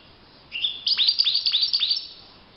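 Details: European goldfinch in the wild giving a brief high note followed by a rapid, tinkling run of sharp chirps and downslurred flicks lasting roughly a second and a half.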